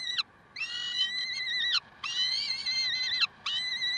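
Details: Peregrine falcons heard in Karlsruhe on 30 May 2010 at 7:27: drawn-out, strained, slightly wavering wails, each lasting about a second and a quarter and ending in a falling slur, with short gaps between them.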